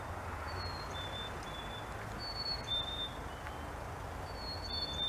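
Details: Black-capped chickadees singing the fee-bee song to each other: thin, pure whistled two-note phrases, a higher note sliding to a lower one, heard about three times over a steady low rumble of background noise.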